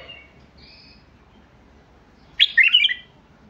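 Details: Basra bulbul gives faint, thin whistles, then after a pause a single loud burst of quick, bright bubbling notes.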